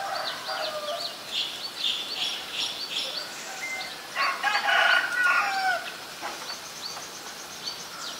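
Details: Common myna in Ubon Ratchathani, Thailand, on February 24, 2022, chatters in a busy mix of harsh, gurgling and whistled notes, swelling into a louder burst midway through.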